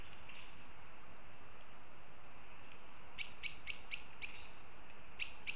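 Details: Northern goshawks near Riga, Latvia: after a quiet start, a series of short, sharp, evenly spaced notes, about four per second, then a brief pause and two more notes, over steady low background noise.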